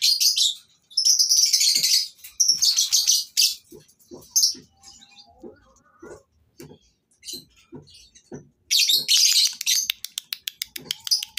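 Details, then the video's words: Lovebirds at a breeding farm, sound for tutoring lovebirds that have gone quiet: harsh, high chatter opens and closes the passage, with a stretch of sharp, irregular clicks and taps between. "SUARA LOVE BIRDS PETERNAKAN LOVEBIRD COCOK BUAT MASTERAN LABET MACET BUNYI"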